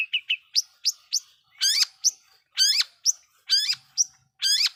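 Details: Energetic long-tailed shrike singing a lure song meant to provoke rival shrikes. Short rising chirps alternate with loud, buzzy, harmonic sweeping notes, roughly one a second, with quiet background.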